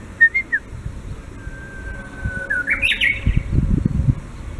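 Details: A Japanese bush warbler replies with two brief whistled notes, then a long level whistle and a jumbled rising-falling flourish, with soft low rustling and knocks behind.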